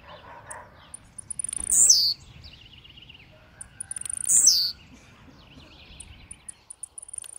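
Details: Two brief, bright downslurred buzzes from an aggressively singing blue-black grassquit, spaced about two and a half seconds apart, over a low rustling background.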